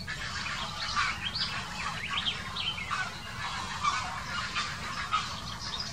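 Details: Grey herons quarrelling on the spot, recorded in 2018: a dense run of harsh, overlapping squawks and croaks rising and falling without pause, over a steady low rumble.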